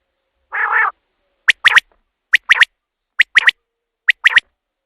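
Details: Night hunting lure of a Common quail: a loud low buzzy note opens, followed by four rhythmic phrases. Each phrase is a sharp three-note whistle, repeated roughly every 0.85 seconds, and no other sound is present.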